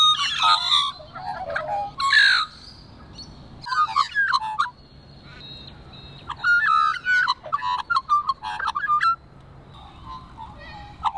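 Australian magpie song: rich, fluting warbles with gurgling and yodelling notes, bursts of liquid phrases broken by brief pauses.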